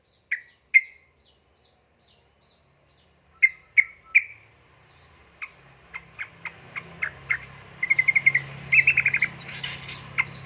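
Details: Female sooty-headed bulbul calling a male: sharp clipped notes at first spaced about every second, then quickening into rapid chattering bursts, with a faint low hum.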